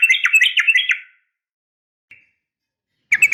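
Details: Female Sooty-headed bulbul's sharp fighting call to a male, for drawing responses from bulbuls: about a second of quick warbled chattering, a faint short note, then a new burst starting at the end.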